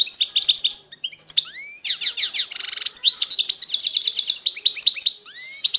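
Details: Constantine-style goldfinch from eastern Algeria in continuous song: tumbling high twitters, rising whistled slurs, a brief buzzy rasp in the middle and rapid repeated chips toward the end.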